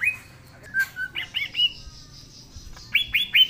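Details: Green leafbird in lively song, its own voice used as a lure for non-singing leafbirds: varied warbled and chattered notes, a short pause, then three sharp falling whistles.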